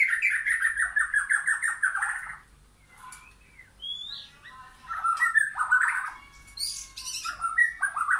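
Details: A white-rumped shama sings in a backyard forest with wild and caged birds: rapid repeated chattering notes, then a pause, one upslurred whistle, and a return to varied warbled and whistled phrases.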